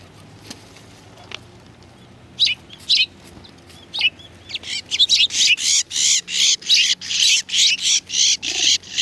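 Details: Sparrows arriving for food at a Tenmangu shrine, February 2020: after a quiet start with scattered chirps, a rapid steady series of loud harsh cheeps about three per second builds and continues.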